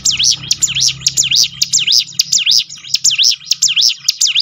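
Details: Prinia (ciblek gunung) used to prompt caged birds to sing: a rhythmic chain of piercing notes that dip and climb, roughly two each second, over a low hum.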